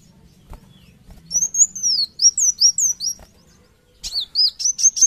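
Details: Van Hasselt's sunbird (kolibri wulung) singing hard in gacor manner: after a quiet start, a string of high downslurred whistles, a brief gap, then quick thin rising notes.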